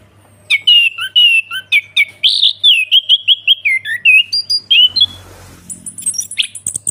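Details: Orange-headed thrush in ngeplong song, delivering a rapid series of clear whistled notes that wobble up and down at a similar pitch, ending in a burst of high thin twitters, with a low electrical hum beneath.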